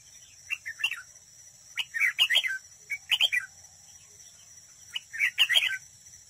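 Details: Close recording of a decoy red-whiskered bulbul in competitive trap singing: three loud, rich, warbling phrases of quick tumbling notes, each lasting under a second, separated by short pauses, with steady background hiss.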